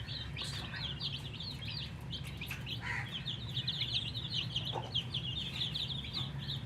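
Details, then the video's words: Baby chicks, colour chicks, chirping from thirst for drinking water: dense high peeping chirps repeated rapidly throughout, with brief human voices and handling noises over a low hum. "MURGI chicks Chirping sounds with thirst for drink water"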